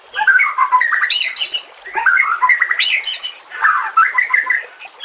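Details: White-rumped shama (murai batu) singing a harsh 'nembak' style song used to train other songbirds, recorded with nature sounds and trickling water; loud varied whistled and rasping phrases sweep up and down in rapid bursts with short pauses between.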